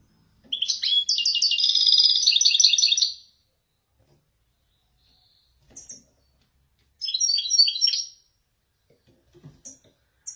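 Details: In a Moroccan cage, a male Wediani European goldfinch gives Marrakchi-style descending song: a fast, liquid, twittering trill about three seconds long, then soft clicks and a shorter burst of chattering notes. Faint background noises are heard.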